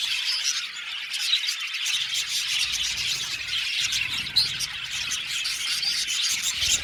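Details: Aviary colony of budgerigars, 70 pairs, heard as a steady mass of shrill chirps and twittering notes, overlapping without pause, with a few sharper squeaks rising above the chorus.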